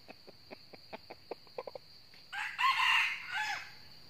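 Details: Red junglefowl lured to a decoy trap in northern Vietnam: quick soft clucks patter for two seconds, then a rasping fighting crow rises and trails off, with a steady high insect whine behind.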